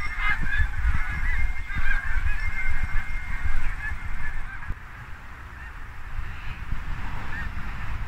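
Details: Flock of Canada and Snow geese in Quebec in October 2022, gathering to migrate as nightly frosts begin; busy overlapping honks from many birds that thin and grow quieter in the second half.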